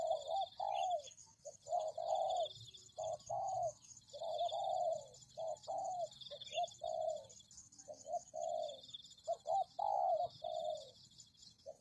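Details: Tekukur or spotted dove luring call. Dense, almost continuous cooing follows one phrase after another, with short notes and longer falling coos repeating about every second. A high constant hum is also heard.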